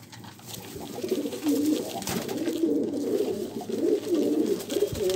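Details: Pigeon giving a continuous low, throaty cooing, warbling and rolling in pulses without a break across the whole stretch, with faint background hiss.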